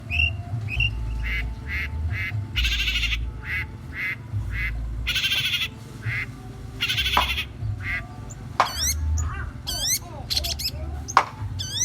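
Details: Long-tailed shrike singing with goat-imitation material: a series of harmonic, bleating bursts repeated about every half second, then sharp rising chirps and clicks, over a constant low rumble.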